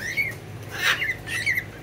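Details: Cockatiels (Nymphicus hollandicus) among cage birds in Oviedo, Florida, give short, bright, slightly rising chirps, two calls about a second apart, with a harsh squawk between them; other cage birds, including budgies, murmur faintly behind.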